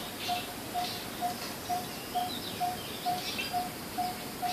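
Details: Coppersmith barbet giving its call: a mellow, hollow 'tonk' repeated evenly about twice a second, with faint chirps from other birds in the background.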